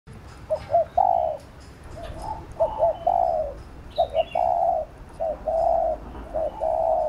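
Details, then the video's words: Spotted dove giving a coaxing coo used to stimulate and train a decoy bird: about five mellow phrases, each one or two short notes then a long drawn coo, with faint high chirps from other birds. "Cu Gáy THÚC GÙ Siết Bổi Đẳng Cấp/ Kích Mồi Tập Bổi Căng Đét"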